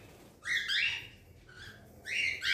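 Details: A hand-fed fawn whiteface cockatiel chick gives harsh, raspy chirps in two bursts, rising and buzzy.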